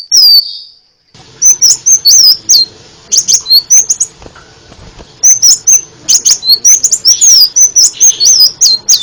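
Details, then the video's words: Crimson sunbird in a varied tutor recording used to train songbirds: thin, high whistled notes that slur up and down, mixed with sharp ticking clicks in quick bursts. A pause falls midway, then the bright phrases resume. "masteran burung sepah raja banyak variasi ( suara audio kicau burung )"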